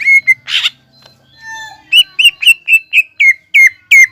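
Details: Greater green leafbird (cucak ijo bahan) used to stimulate birds into song: two clear whistles and a harsh rasp, a brief lull with a thin descending note, then a steady train of crisp whistled notes about three per second.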